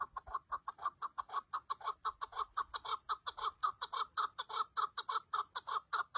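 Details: Chukar partridge calling in a long, unbroken chain of hoarse clucking notes, close to two per second, loud and clear against a quiet background.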